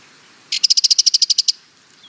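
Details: Sardinian warbler rattle: a crisp, rapid series of about thirteen evenly spaced ticking notes lasting one second, clean background.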